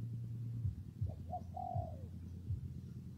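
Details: Spotted dove cooing in rainy, windy weather: two short soft notes lead into a longer, smooth, falling coo, over a steady low rumble of wind.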